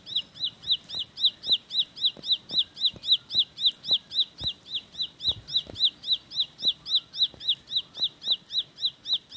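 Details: Bar-winged prinia (ciblek sawah) in a long unbroken rapid roll: very regular high, arched, sharp notes repeated about four times a second throughout, with scattered faint clicks underneath.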